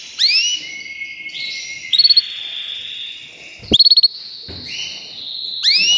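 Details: Canary singing sweeping high whistles and long level tones, broken twice by rapid stuttering trills of five or six pulses. A down-slurred whistled burst ends the phrase.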